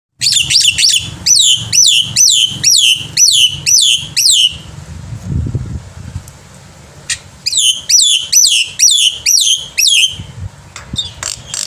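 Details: Black-winged myna singing energetically in the morning, used as a tutor for young birds: bursts of loud, harsh, downward-sweeping whistled notes repeated about twice a second in two phrases, separated by a quiet pause with faint low rumble.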